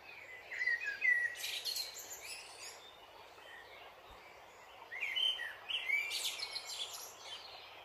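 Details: Dipper song in two separate bursts about four seconds apart, each a jumble of whistled notes and harsh, buzzy high trills and twitters, set against continuous rushing stream water.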